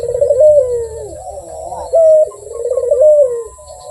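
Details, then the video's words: Barbary dove delivering rolling coos: a trembling purr rises into a clear sustained note, then drops away in a quavering fall, with a steady low hum in the background. "SUARA BURUNG PUTER GACOR || BERSUARA MERDU"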